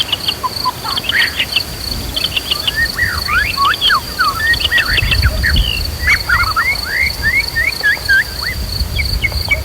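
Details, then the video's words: Agitated white-rumped shama song used to stir fighting spirit in other shamas, set with nature sounds and a flowing river; a long series of clear slurred whistles and upswept notes above a constant high drone and low water rumble. "PANCINGAN MURAI BONGKAR ISIAN BIKIN KONSLET"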